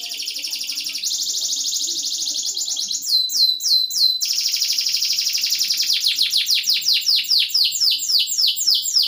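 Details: Canary song used to stimulate lazy canaries to sing: long fast trills at high pitch, changing into rapid repeated descending sweeps about four per second, with a brief burst of clipped rising notes midway.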